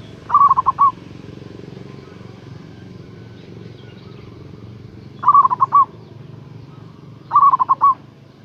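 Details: Loud local zebra dove calling a rival, heard as a lure: three brisk phrases of stuttering, bubbling coos spaced several seconds apart, with a steady low rumble underneath.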